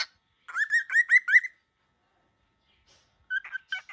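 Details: Very angry baby cockatiel giving five quick, rough, upslurred notes in a tight series, then a brief pause and a few more harsh notes.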